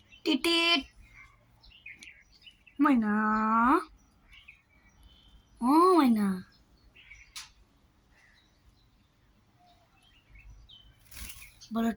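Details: Speech-like phrases from a talking common myna: a brief opening note, a longer nasal syllable bending upward, then a sharply arched rising-falling word, with a short closing utterance after a long pause.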